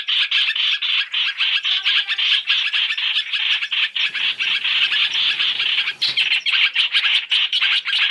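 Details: Masked laughingthrush, a three-in-one lure recording meant for trapping: dense, harsh, rapid chattering without pause, with a short break in intensity near the middle before the grating bursts resume.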